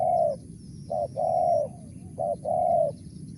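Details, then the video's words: Spotted dove giving a clear mersik call: a trailing coo, then two phrases of a brief note and a sustained hollow coo. "BL suara Mersik"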